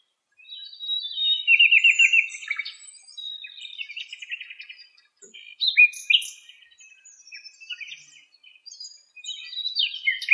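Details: Nightingale singing in Greece: rich, varied phrases of rapid pulsed trills, sharp whistles and chattering notes, with short pauses between bursts and a quiet background.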